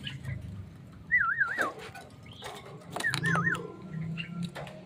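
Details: Javan myna, bathed, sunned and then given crickets: two wavy, warbling whistled phrases about two seconds apart, each undulating up and down, with clattering knocks and low rumbling background noise around them.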